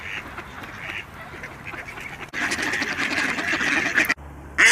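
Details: Quacking of Khaki Campbell ducks: softer nasal calls at first, then after a cut a louder burst of crowded, harsh quacks, ending with an abrupt loud sound.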